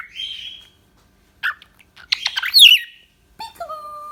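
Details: Indonesian pet cockatiel giving a drawn-out rising whistle, then scattered chirps and a warbling phrase, ending in a steady lower tone.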